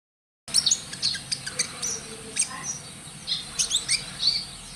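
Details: Oriental magpie-robin in full, vigorous song, described as a promising future contest champion: bright high whistles and sharp chirps in quick bursts after a brief silent start, notes scattered and varied.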